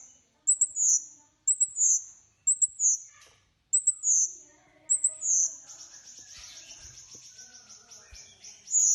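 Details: Bulbul delivering repeated high whistled phrases, each a quick double note then a sliding whistle, about once a second, followed by a softer fast rattle.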